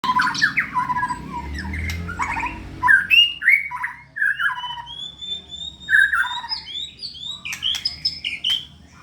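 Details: Contest-ready white-rumped shama singing actively: a varied run of clear whistles and slurred notes, some rising high, with a low background hum early on.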